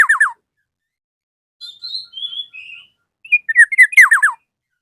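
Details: Black-naped oriole calling to a rival, opening with quick falling loud notes, a pause, a string of thin high whistled slurs, then another burst of rapid downward-sweeping notes.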